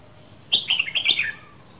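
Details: Red-whiskered bulbul from Dak Lak, Vietnam, two seasons old, giving its strong bộng song: one brisk phrase of about six clear, warbled, bubbling whistled notes lasting under a second, stepping slightly downward at the end, over quiet background.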